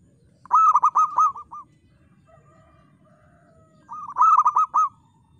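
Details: Local zebra dove, a crisp crystal-voiced singer: two bursts of soft cooing notes around a stutter of quick pulses, separated by a pause of about two seconds with faint low background noise.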